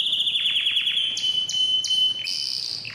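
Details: Canary song used to stimulate males and females for mating: a fast run of downslurred notes, then sustained high whistles broken by sharp bright chips, ending in a dense high buzz.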